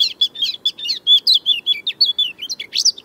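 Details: European Robin, which likes to sing at dawn and dusk and is heard in the evening and at night, gives a fast, tinkling run of high, thin notes, about five or six a second, each shifting pitch.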